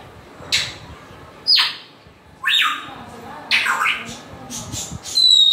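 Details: Grey parrot making a string of short sharp squawks and whistles, about one per second, ending in a clear high whistled note.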